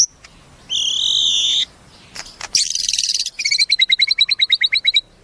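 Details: Caged white-rumped shama giving a steady whistled tone, then a buzzy burst and a rapid trill of repeated double notes.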